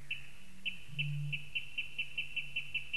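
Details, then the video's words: Eurasian bittern in Latvia on an evening of 28 May 2015, giving a single short, deep, low-pitched boom; a steady series of sharp, high ticking notes repeats about twice per second throughout from another caller. "Latvian Bittern 2015 05 28 - evening sounds"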